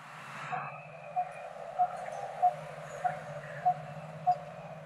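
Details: A resident coppersmith barbet (Megalaima haemacephala) in open wooded country gives a hollow, metallic 'tuk' about every two-thirds of a second, turning its head side to side to throw the call, over distant traffic rumble.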